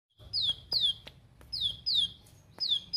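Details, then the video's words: A plain prinia, in a recording used to lure captive prinias into singing, gives sharp, buzzy, high notes sliding steeply downward, repeated roughly twice a second in short bursts over a faint low rumble. "Pancingan Agar Ciblekmu Gacor +Tembakan Tajam Pedes"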